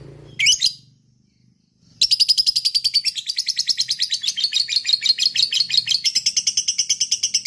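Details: Fighter lovebird: one short shrill note, a pause, then long ngekek chattering, fast and even strings of raspy high notes pouring out continuously to the end.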